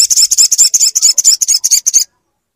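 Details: Crimson sunbird song for coaxing a silent bird to sing, a fast even series of high, buzzy, slightly wavering notes lasting two seconds, then silence.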